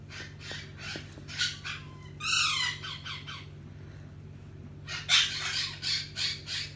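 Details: A pet Hahn's macaw (red-shouldered macaw) being scratched before bed gives harsh, raspy squawks in short bursts, including one drawn-out, downward-sliding screech, over a steady low electrical hum.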